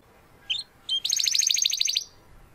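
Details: Young Spanish Timbrado canary, classico style, still working toward its full song: two short high chirps, then a rapid bright metallic trill lasting about a second.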